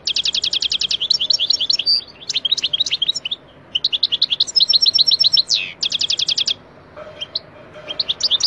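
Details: Algerian wild goldfinch song, edited to strip background noise: dense, quick-fire tinkling and chirping phrases, rapid rattled trills and a downward slurred note, broken by a couple of short gaps before resuming.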